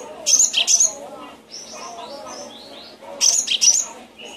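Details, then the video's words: Cinereous tit, recorded as tutor song to coax reluctant cage birds into singing. Two bursts of piercing high chirps, each a quick pair of notes, are separated by a stretch of softer thin whistles over a busy background of lower chattering calls. "Suara masteran burung gelatik batu"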